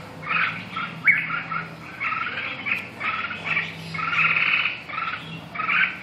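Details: Red-whiskered bulbul singing lively, chirpy two-part phrases in quick succession, some slurred and rising, with a faint low droning hum behind.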